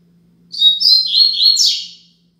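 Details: Double-collared seedeater singing a Braddock-style tutor song, 'Tui Tui Zel Zel Top', used for teaching young birds: a high, clear phrase of about a second and a half, warbled notes stepping up and down before a brighter, buzzy final flourish.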